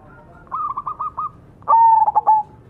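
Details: Zebra dove, Majapahit type, lure song: five or six rolling cooing notes, a brief pause, then a loud, clear stuttering coo phrase with a drawn-out tone.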